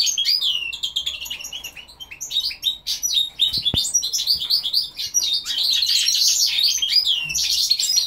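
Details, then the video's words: Goldfinch × linnet hybrid (Carduelis carduelis × Carduelis cannabina) sings a fast, dense run of tinkling twitters and liquid trills, high-pitched and almost continuous, with a few sharp clicks in the middle. "carduelis carduelis x carduelis cannabina"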